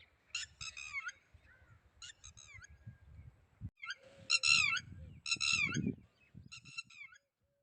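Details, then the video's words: A red-wattled lapwing gives loud, shrill, ringing notes in quick runs of three or four, repeated every second or two, over low rumbling background noise. "bird sound Red wattled"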